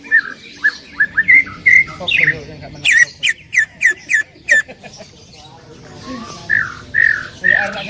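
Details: Greater green leafbird in full loud song: slurred whistles, then a rapid series of sharp repeated notes with clicking attacks, followed by quieter rising whistles and a few low notes.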